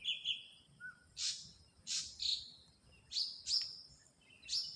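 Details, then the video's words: Wild ashy drongo song mixing short whistled notes, harsh buzzy bursts and sharply upslurred whistles spaced about half a second apart. "suara burung srigunting abu abu di alam gacor"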